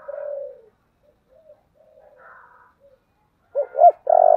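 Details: Spotted dove cooing in the 'giọng thổ' voice style, urging and calling: a long, low, steady coo that fades, a stretch of faint soft notes, then two quick hooked notes leading into a loud, sustained coo.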